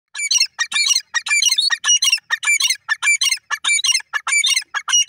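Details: Grey francolin, called teetar, giving loud harsh squawking calls in rapid repeated bursts, about a hundred per minute, with a clean recording and no other clear sounds.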